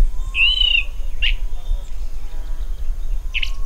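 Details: Little woodpecker (Veniliornis passerinus): one drawn-out thin squeal followed by two brief harsh notes separated by a pause, against low rumbling background noise.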